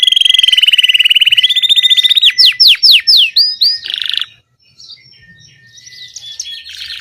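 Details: Domestic Belgian canary singing: a rapid trill of repeated notes held near one pitch, then a series of loud descending swept whistles, a brief pause and softer buzzy phrases at the end.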